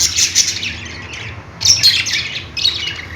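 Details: Budgerigars chirping: two loud bursts of scratchy squawks and squeaks, one at the start and one after a short lull, with a dip between them.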